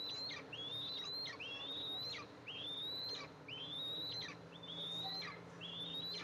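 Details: Two eaglets in an Eastern imperial eagle nest as their mother arrives with food, nest camera, July 14, 2024. A series of thin rising whistles ends each in a steep downward slur, repeated regularly over steady hiss.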